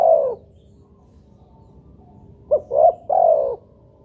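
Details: Lure recording of a spotted dove meant to start other doves calling. The tail of one long coo, a pause, then a full phrase of a short note, a rising coo and a long, steady final coo.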